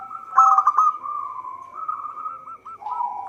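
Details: Local zebra dove used as a trapping lure, giving a loud, fast, rolling cooing trill followed by a softer string of short coos that drop slightly in pitch.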